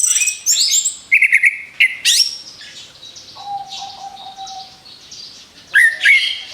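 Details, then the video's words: Orange-headed thrush singing as a lure, with high twitters and a short buzzy trill, then a quieter stretch with a long level whistle, ending in a fresh burst of sharp chirps. "SUARA ANIS KEMBANG BUAT PANCINGAN MAUT"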